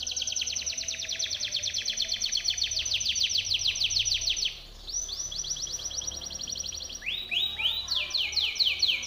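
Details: Training song of a Timbrado canary: a long fast trill of bright repeated notes held for over four seconds, a short pause, then further rolling trills and broad falling sweeps.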